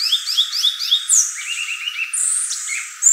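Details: Violaceous euphonia giving a quick series of four rising slurred whistles, then lower twittering notes and a high thin sliding whistle.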